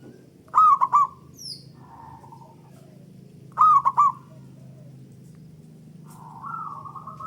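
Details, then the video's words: Local zebra dove singing as a lure for other doves. Two loud, rolling triple-note coos about three seconds apart, followed by softer drawn-out cooing, over a low background hum. "Pancingan Burung Perkutut Lokal Gacor Dor Bersaut Sautan $uara Keras Panjang"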